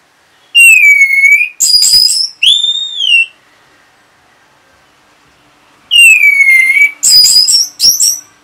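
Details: Orange-headed thrush reacting to a lure sound. It gives a whistled phrase and buzzy notes, then a rising-falling whistle, and after a long pause repeats a descending whistle with raspy trills. A faint low hum runs underneath.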